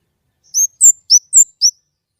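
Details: White-rumped shama with a clear voice, giving five loud, high slurred whistles in quick succession, alternately rising and falling, over silence.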